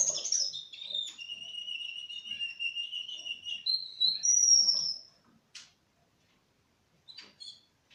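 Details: Russian canary aged four months sings long, level whistled notes stepping between pitches, a sustained high tone, then falls silent apart from a few faint chips.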